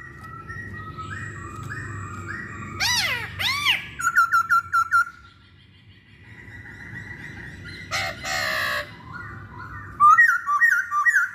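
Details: Masked laughingthrush lure recording: a run of short stepped whistles, then loud arching whistled notes, a burst of clipped chirps, a harsh rasping burst around the middle, and more whistled phrases at the end over a low background hum.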